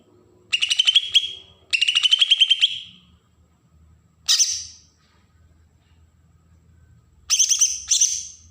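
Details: Agitated besetan song of a Bornean green leafbird from Berau, Kalimantan, used to provoke young birds: four short bursts of fast, scratchy, high chatter, the first two longer with a steady pulsing rhythm.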